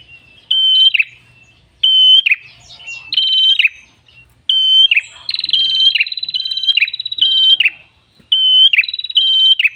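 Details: Ashy tailorbird, locally prenjak kepala merah, in prolific ngalun song meant for luring and training birds: level whistles ending in rasping drops, sometimes fused into long trilled runs.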